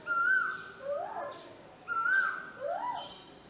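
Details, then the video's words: Male Asian koel calling back and forth with a woman at a house in Hassan, India: two exchanges, each a level whistled note followed by a loud rising, arching koo-Ooo. "arguing with an Asian koel (male)"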